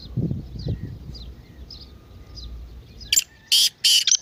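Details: Partridge calling, offered as a sound to make a silent partridge start calling: soft distant chirps and low rumbling first, then three loud harsh grating bursts close together at the end.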